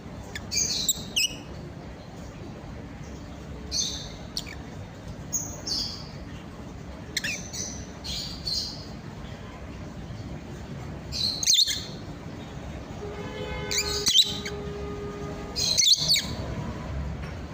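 Cockatiels give sharp, high chirps and scratchy squawks in irregular bursts over a steady background hiss.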